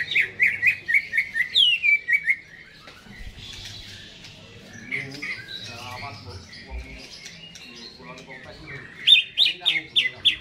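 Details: Caged greater green leafbird singing actively before its cage is hung up: bursts of fast, bright chirped notes at the start and end, with quieter, mixed warbling between.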